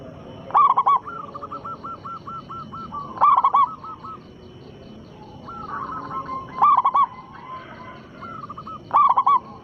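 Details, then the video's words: A local zebra dove with a powerful voice sings as a lure to make other doves reply. Four loud, quick coo bursts about every three seconds, interleaved with softer trilling coo series from other doves. "perkutut lokal gacor suara besar pancingan sekali putar pasti langsung nyaut"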